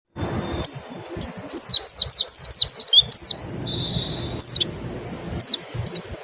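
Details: Mountain white-eye 'nembak' song and 'ngecal' lure calls, used to stimulate other white-eyes to sing quickly: high, thin downslurred whistles in a quick run, a steady sustained whistle, then scattered single notes.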